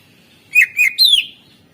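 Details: Greater green leafbird delivering 'isian' song as a master track to stimulate lazy singers: two short whistled notes, then a strong descending whistle, in one clean phrase.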